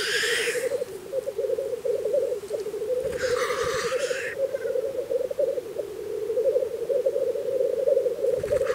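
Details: At a spring lek in Russia, black grouse keep up an unbroken rolling, bubbling coo, while two harsh rasping hisses burst over it near the start and again about midway.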